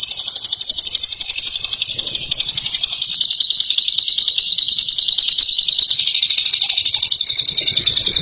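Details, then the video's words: Long continuous high trill from a champion ngekek bird, buzzing and unbroken, gliding slightly downward and then rising again. "INI DIA JAGONYA NGEKEK"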